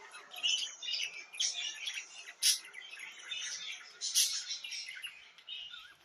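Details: Budgerigar song of soft twittering chirps broken by two sharp, loud clicks, the chatter fading toward the end.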